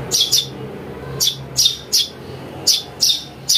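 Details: Young Eurasian tree sparrow's calls, used to attract and trap birds. Nine loud high chirps, mostly in close pairs, fall roughly every half second to second over a low hum.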